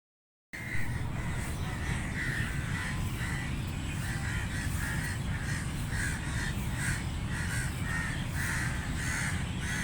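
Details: Crows while feeding give loud, harsh caws, short bursts repeated in rapid overlapping runs about twice a second, as if several birds call together, over a steady heavy low rumble like wind or traffic.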